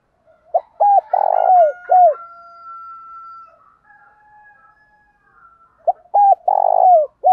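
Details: A spotted dove repeats its rival-luring challenge phrase twice, several seconds apart. Each phrase has brisk short coos, a strong buzzy long coo and a falling final note, and a faint drawn-out tonal call sounds in the gap.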